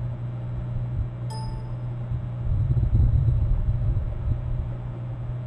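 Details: Low, continuous rumble, like traffic or machinery, that swells midway, with one brief bright metallic chime near the start and no animal calls.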